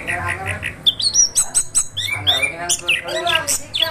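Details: Orange-headed thrush in 'gacor ngeroll' rolling song, a busy run of repeated chirps, bent whistles and harsh chattering notes at mid to high pitch, over a steady low background hum.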